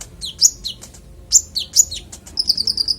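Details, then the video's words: Konin giving clear varied song used to tutor other songbirds: loud sharp looping whistles and slurred high notes, followed by a quick series of short high chirps. "Konin bongkar isian suara jernih"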